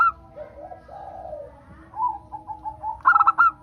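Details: Local zebra dove used to prompt other doves to sing. Soft, low cooing notes and a short run of ticking notes lead into one loud, quick stuttered phrase near the end.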